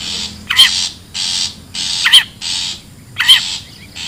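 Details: Long-tailed shrike from the wild, a recording meant to lure birds: regular buzzy, grating bursts alternating with brief quivering wavy notes, roughly one pair every second and a half.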